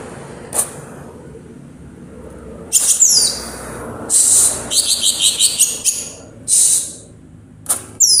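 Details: Greater green leafbird from Purwo, Banyuwangi, giving sharp high clicks and scratchy bursts, then a quick run of shrill, stuttering notes and a few loud squeaky chirps.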